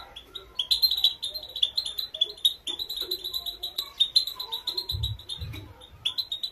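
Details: Training song of a female European goldfinch, played to make males sing loudly. Quick, sharp twittering chirps follow one another steadily, with fainter lower notes between them and two dull low knocks near the end.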